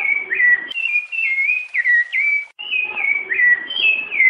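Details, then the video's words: Piedade-style song of a Rufous-bellied thrush, meant for teaching young birds: a steady chain of mellow whistles, each rising then falling, with a short break midway before the phrase repeats. "Canto Piedade do Sabiá Larangeira Para Treinar Filhotes"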